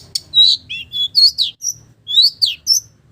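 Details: Long-tailed shrike voicing imitations of village birds in a brief, varied burst of chattering whistles and twitters, some rising and some falling, in quick succession.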